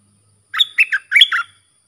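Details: Sooty-headed bulbul training song for young and hand-raised birds, also used to lure wild birds. One clear phrase opening with a high thin note and running into three rounder, bubbling notes. No background sound.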